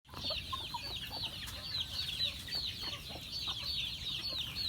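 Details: Chickens on a farm being fed, a flock giving a dense, continuous chorus of high, thin peeping calls that overlap throughout, with faint low rumbling noise underneath.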